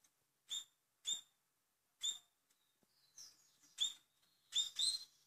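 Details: Double-collared seedeater in Portugal singing in the velocista style: short, bright chirped notes with a buzzy edge, spaced about half a second apart, ending in a faster run of twittering notes. No other sounds are heard.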